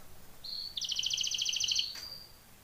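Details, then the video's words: Belgian canary singing for training, a thin high whistle leading into a short, bright double-toned trill of rapid beats that fades back into a faint whistle over steady low background hum. "BEST canary singing / CANTO CANARIO CANTANDO FOR TRAINING / CANARY TRAINING SONG"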